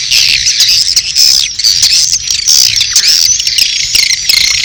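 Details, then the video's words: Swiftlet courtship calls layered with chick calls, made to draw birds into a swiftlet house. Shrill overlapping twitters and buzzy trills form an unbroken high-pitched chorus. "SP.BIRAHI+ANAKAN+RBW 1 ( LINK LANGSUNG DOWNLOAD MP3 SUARA WALET DI DESKRISI)"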